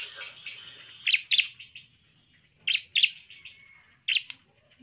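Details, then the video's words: Bar-winged prinia in energetic song, used as a lure to make other prinias agitated and persistent: sharp, high chirps in pairs, with each pair separated by a pause of about a second and a half, over quiet background. "suara pancingan CIBLEK GACOR biar ngamuk dan ngotot"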